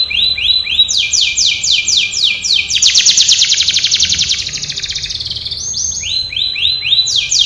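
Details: Training song of a canary, a long continuous flow of rapid descending sweeps repeated in tours, a bright buzzy rolling passage in the middle, then slower looping phrases.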